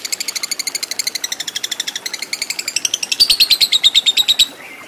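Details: Lovebird singing a long ngekek, as used for training fighter lovebirds: a fast, even run of sharp, high chattering notes, about six a second for five seconds, ending in a thin rising whistle.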